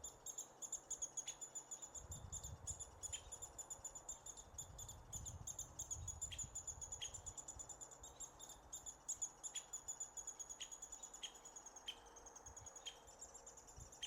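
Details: Nestlings of American three-toed woodpecker begging as they are fed, near Willow, Alaska, June 2016, Sony A7R II camera: continuous high, shrill chattering notes pulsing quickly, broken by sharp tapping clicks, with low rumbling noise early on.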